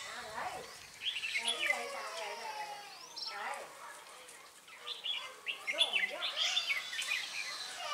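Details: Red-whiskered bulbuls at a trapping session in Ba Thá, Vietnam, on 18 December 2016 give bright, bubbly whistled phrases, quick and rising-falling, with other chirps and faint voices in the background.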